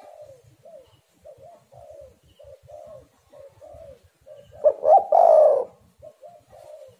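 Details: Spotted dove (tekukur) cooing as a lure: a run of soft, slightly falling coo notes, broken once by a loud, harsh multi-note phrase ending in a long coo.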